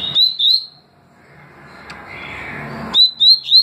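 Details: Song of a double-collared seedeater, in the tui tui and deputado styles: two bright upward-slurred whistles, a pause filled with soft hiss, then three more quick rising whistled notes repeated at a steady pace.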